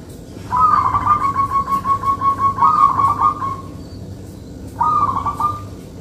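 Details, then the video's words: Local Zebra dove singing densely, favoured for luring: a long chain of fast pulsed, rolling coos lasting about three seconds, then a shorter trilled phrase after a pause, low hum beneath. "Perkutut Lokal Manggung Rapet ||cocok Buat Pikat"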